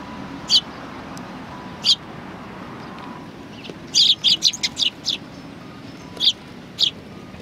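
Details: Several sparrows at a Tenmangu shrine on 23 January 2019 give short, high chirps. Two single notes come early, then a quick burst of five or six, then two more spaced chirps, over a steady low background hum.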